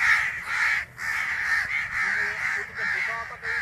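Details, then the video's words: Young crow with its parents making noise nearby: nearly unbroken hoarse, grating calling in pulsing waves, one short pause early on, faint low tonal sounds underneath in the second half. "Baby Crow bird sound while their parents making hell of noise out there"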